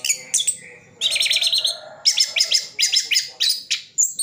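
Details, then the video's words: Orange-headed thrush singing mimicked phrases, Sidoarjo, East Java; a sustained buzzy trill followed by a run of evenly spaced sharp chirps, about four per second, ending in high whistles. "Anis Kembang isian full"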